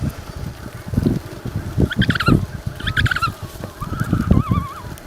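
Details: African penguin calls: two short harmonic honking bursts, then a lower wavering, trilled call near the end, over steady low rumbling noise with thumps throughout.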